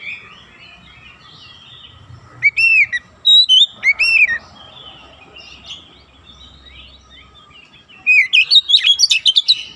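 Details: Training recording of an oriental magpie-robin, used to teach young birds a fast 'nembak rapat' delivery. Scattered loud slurred whistles give way to a rapid, dense volley of sharp chips and whistles near the end.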